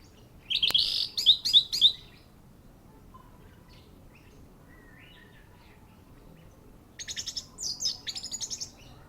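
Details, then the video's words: Orange-headed thrush in a contest ring giving two bursts of song, each a quick string of bright, high warbled notes, separated by several seconds of near silence. "Anis merah ring matroji mlg, teler mental"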